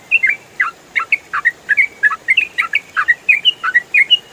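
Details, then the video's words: Yellow-vented bulbul, or trucukan, giving rapid ropel song as training sound for songbirds: a dense stream of liquid whistled notes, up-and-down slurs repeated nearly three times a second. "MASTERAN TRUCUKAN ROPEL FULL SUARA JERNIH"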